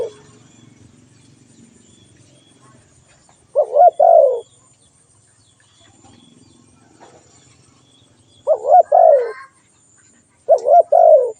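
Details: Spotted dove call, three cooing phrases with irregular gaps, each made of brief rising coos and a longer falling one, with soft low background noise between.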